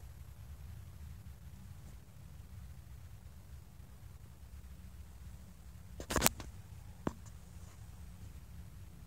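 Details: Near silence with a low hum, broken by a brief cluster of sharp knocks after six seconds and one more click a second later.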